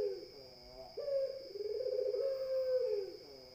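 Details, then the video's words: A single long spotted dove coo, low and steady for about two seconds after a short lead-in note, with a persistent high electronic tone. "SUARA PUTER BIKIN_EMOSI _BURUNG_LAINNYA"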